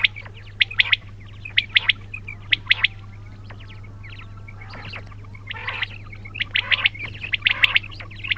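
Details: Quails calling, sharp chirping notes in clustered bursts by several birds at once, with pauses between groups, over a steady low hum.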